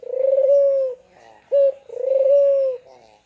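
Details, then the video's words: A captive dove gives two long, low, steady coos of about a second each, with a brief clipped note between them, in a quiet room; the lively calling is meant to prompt birds that are slow to call. "Burung puter gacor"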